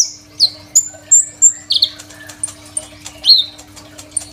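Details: Crimson sunbird singing as a master for training other songbirds, recorded on an Oppo A37f phone: scattered piercing whistles, thin sliding notes and short buzzy trills, given at irregular intervals with brief gaps.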